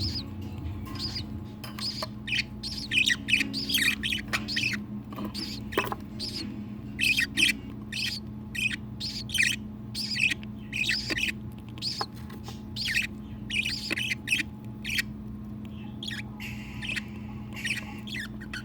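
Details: Newly hatched budgerigar chick, fostered to an adoptive hen after its own mother showed no interest, gives rapid, raspy, repeated begging calls while the hen feeds it, over a steady low hum.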